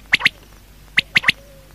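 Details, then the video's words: Quail at night giving short, bright calls, a quick pair followed after a pause by a crisp three-note phrase, with a faint thin whistle at the end. "Quail|Night|Best|Sound| Batair Awaaz"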